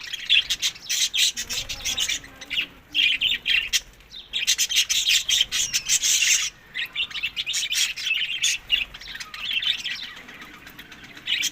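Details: Budgerigar flock feeding on summer food, Larkana, Sindh, May to June: continuous overlapping chirps and rasping chatter from many birds, nearly unbroken with only brief lulls.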